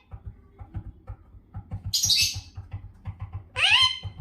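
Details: A parrot getting up to mischief gives two loud, harsh, rasping squawks about a second and a half apart. A steady soft tapping or clicking runs underneath throughout.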